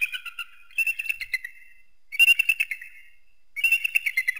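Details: Eagle calling in three loud bursts of fast, squealing whistled notes, each burst about a second long, separated by short silences.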